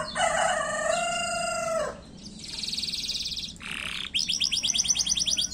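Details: Canary singing fast to trigger singing in other canaries: a long harmonic low whistle, a buzzy high trill, a brief rasp, then rapid repeated high chirps.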